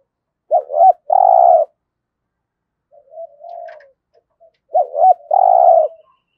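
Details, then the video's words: Decoy spotted dove for luring wild birds into traps, giọng thổ style: a phrase of two brief looping notes and a long flat coo, repeated after about four seconds with a soft coo between. "Chim Cu Mồi Gáy Giọng Cũng Hay Dùng Kích Bổi Cũng Hiệu Quả"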